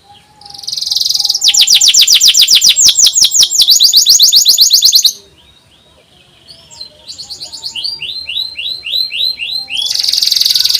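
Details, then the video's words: Canary song used as a training recording for young canaries learning to sing: loud rapid trills and buzzy rolls at high pitch, a pause, then quieter swooping whistled notes building back into a strong trill. "SUARA NYERILIK,PANCINGAN KENARI PAUD & MASTERAN KENARI SUSAH BUNYI"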